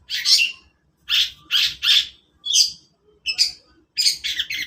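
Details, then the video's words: Long-tailed shrike singing in the morning: loud, harsh, scratchy bursts of chattering notes, each under half a second, about seven phrases in under five seconds separated by brief silences. "burung cendet di pagi hari"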